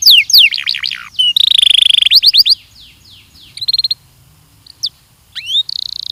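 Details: Belgian canary singing for training, with descending whistled notes, a buzzy trill, short rapid chirp bursts separated by quiet gaps, and a final slurred whistle running into a buzzy trill.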